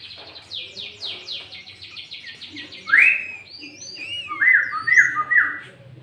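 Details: Sooty-headed bulbul singing loudly and clearly as a lure to call rival bulbuls, with green leafbird fill; a quick series of falling chirps gives way to rich, bubbly mid-pitched phrases repeated several times.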